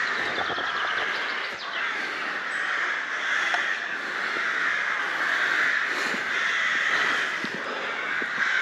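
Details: A loud crow chorus at the castle and palace ruins in Bychawa. Many harsh overlapping caws form a dense, continuous racket with no pauses.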